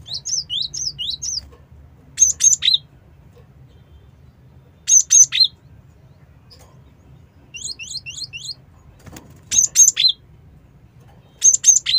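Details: Cinereous tit calling for use as a lure, mixing runs of four or five thin upslurred whistles with crisp three-note bursts, repeated over twelve seconds above a soft low rumble.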